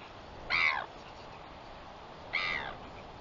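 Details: Northern royal albatross recorded on 21 September 2021: two short, harsh, harmonic calls about two seconds apart, each under half a second, over a steady background hiss.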